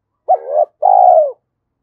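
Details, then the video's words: A single spotted dove phrase, used to stimulate a decoy bird: a sharp-onset wavering first note, a short gap, then a long even coo sinking in pitch at its close. "tiếng chim cu gáy kích bổi"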